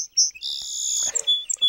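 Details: Song Sparrow song fragment: brief high opening notes described as a little buzzy, a long bright buzzy trill, then quick sharp high notes at the end, described as five notes.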